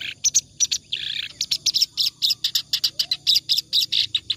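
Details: Clamorous reed warbler in continuous ngacor song, recorded as tutor song for other birds: harsh chattering notes with one drawn-out buzzy note early, then a fast steady sequence of rasping syllables.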